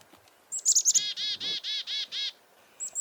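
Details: Black-capped chickadees, three birds in a sumac bush near a farmhouse, calling in alarm while a northern goshawk hunts a dove nearby: a few high thin notes, then six harsh buzzy dee notes in a steady run.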